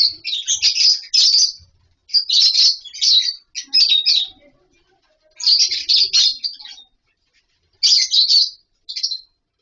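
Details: Colony of captive lovebirds nesting in wooden boxes and mud bowls; rapid sharp chirping in clustered bursts, high and shrill, with brief silences between volleys and faint low murmurs beneath.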